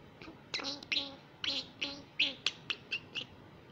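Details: Hand-raised young female common myna in Israel, which began talking at six months, during an early speaking lesson: a run of sharp clicking, chattering notes with bright overtones, about a dozen in under four seconds, indoors.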